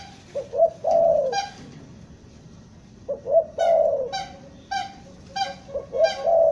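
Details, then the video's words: Spotted dove lure call from Bandung, a stuttering (gagap) style used to trap wild doves: short low coos running into a longer hoarse coo, three phrases a few seconds apart, with faint clicks and a soft background hiss. "Suara pikat mp3 burung tekukur , Tekukur Pikat Kota Bandung Gagap 100% Gacor"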